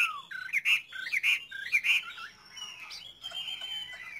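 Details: A Chinese hwamei kept by bird fanciers sings three looping, melodious whistled phrases, then long, steady whistled notes that gently fall in pitch.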